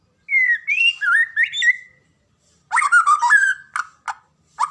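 A white-rumped shama sings rich, fluid whistled phrases, rising and falling, then a burst of varied chattering notes with sharp accents.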